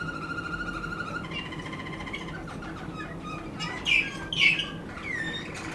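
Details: Waterslager canary song opening with a level held whistle, shifting to a lower tone, then two loud bubbling, gurgling bursts and a final rising whistle.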